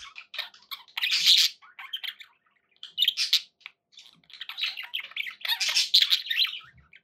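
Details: Pet budgerigars keep up a busy stream of scratchy warbling, chirps and shrill squawks, louder bursts at about one, three and six seconds.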